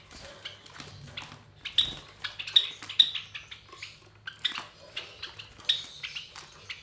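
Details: Three captive Java sparrow chicks, about 23 days old, young of white Java sparrows; dense run of rapid, scratchy chirps and squeaks, some louder peaks, over a faint indoor hum.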